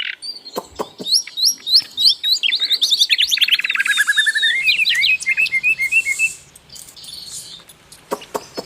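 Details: Prolific Asian brown flycatcher song used to tutor songbirds: a quick run of high slurred notes slides into a long rapid trill, then scattered sharp chirps after a brief pause.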